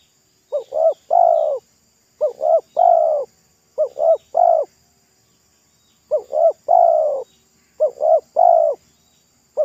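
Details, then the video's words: Local wild spotted dove singing by a roadside during a failed trapping attempt, its thick, loud voice likened to the pesom style: short rising coo, second coo, then a longer drawn coo, phrase repeated about every two seconds in a quiet setting. "TEKUKUR LOKAL RASA PESOM"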